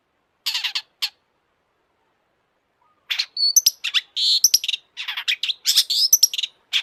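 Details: Long-tailed shrike singing vigorously in full emotional display, recorded as a lure to rouse other shrikes into song: two brief harsh chattering bursts, a pause, then dense rapid high-pitched scratchy and whistled phrases, varied and continuous.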